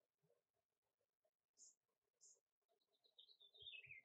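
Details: A male Bushtit (Psaltriparus minimus) collecting yarn for a nest gives contact calls: two very high, thin buzzy notes, then a quick run of lisping notes sliding downward, over a faint low murmur.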